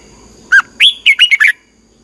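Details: Training song of a red-whiskered bulbul for teaching birds to sing, a single bright phrase opening with a dropping whistle followed by five rapid looping notes, clear over a quiet background.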